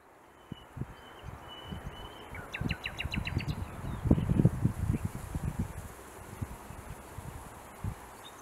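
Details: A Eurasian whimbrel gives a quick rippling titter of about seven clear whistled notes in one second, over heavy low wind rumble and a thin steady whistle, at Étang de Vic in May 2024.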